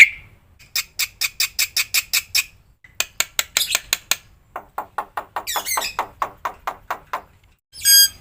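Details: Black-winged myna song from a recording for training other caged birds, packed with fill-in phrases: quick bursts of harsh, rapidly repeated chattering notes in spliced sections separated by short pauses, ending in a loud buzzy burst.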